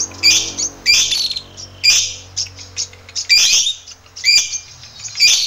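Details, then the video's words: Lovebird kept as a master recording to train other lovebirds, giving harsh, buzzy chirps in short bursts roughly once a second, some clustered, with gaps and a low hum beneath. "Masteran* lovbrid GACOR ngekek panjang"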